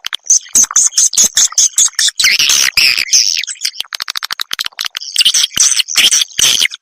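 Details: Edible-nest swiftlet calls used to attract the birds to farming houses; rapid, busy high-pitched chirping and buzzy twitters, roughly two notes per second in places, with a shrill sustained streak early on.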